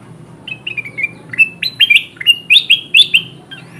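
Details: Kutilang emas bulbul calls for luring wild birds: soft falling chirps that build into a loud, irregular sequence of sharp, upslurred notes.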